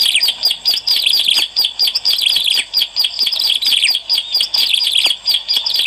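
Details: Bar-winged prinia singing vigorously for luring birds. Bright, shrill chirped notes come in rapid rhythmic bursts, densely layered and nearly unbroken for six seconds.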